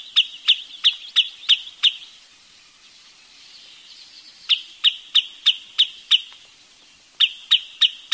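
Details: Bursts of sharp, high chip notes from a wood sandpiper, about three per second, delivered in three runs separated by brief pauses with faint rustling between them.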